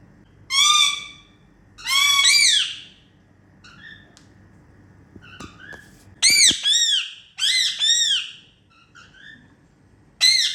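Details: Indian ringneck parakeets kept as pets, making happy sounds during playtime; loud, harsh, arched squawks in pairs and bursts, separated by quieter chattering notes and brief clicks, over about ten seconds.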